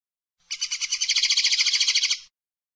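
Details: Common linnet, called pardillo or pajarel, delivering a dense buzzy trill of around twenty fast repeated notes lasting nearly two seconds, rising slightly in loudness then ending abruptly.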